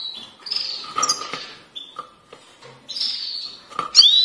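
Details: European goldfinch, grey-headed or black-headed form, giving chir-chir calls: high, slightly buzzy held chirps in two bursts separated by a quiet gap, ending in a sharp rising whistled note, with faint clicks and rustling between.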